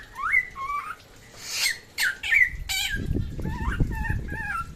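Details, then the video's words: Samyong from West Nusa Tenggara: a few loud rising whistles and a harsh burst in the first half, then softer repeated whistled notes over a steady low hum. "SAMYONG NTB GACOR SUARA MANTAP"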